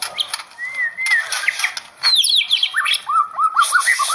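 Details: White-rumped shama kept for song performance, giving a long level whistle, then a burst of high downslurred chips, followed by a string of short looping whistled notes.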